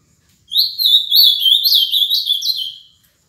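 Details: Ultramarine grosbeak (azulão), a seven-year-old cage bird from Paraná, Brazil: one clean phrase of about two and a half seconds, a rapid chain of sweet slurred whistles rising and falling, in a quiet setting.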